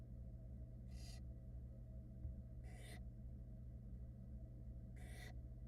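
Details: Barn owl chicks in a Florida nest box, six hatched in February 2022, react as their wet mother tries to dry off; three harsh, broadband hissing screeches arrive about two seconds apart over a steady low camera hum.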